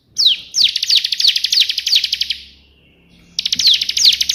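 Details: Bar-winged prinia performing energetic 'tembakan' burst song as a tutor recording: a long, rapid run of high, evenly spaced notes with slurred accents, a pause, then the run resumes.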